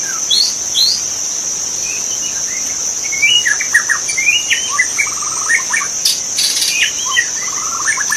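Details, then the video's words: Magpie-robin in the wild, forest setting: rich run of sweet whistles and quick chirped notes, rising and falling, growing busier halfway through, over a constant shrill insect hum. "suara burung murai asli di hutan"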